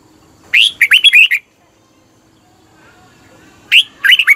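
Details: Red-whiskered bulbul in Thailand singing, a recording used to rouse caged birds: two lively phrases of rapid, slurred whistles, the first about a second long, then a long quiet gap before the next begins.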